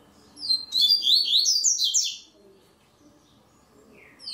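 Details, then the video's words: Double-collared seedeater singing in a web song tournament in Ribeirão Preto, São Paulo, Brazil: a fast, high phrase of sweeping, slurred notes under two seconds, another phrase starting as it ends. "TORNEIO VÍDEO WEB COLEIRO ON-LINE"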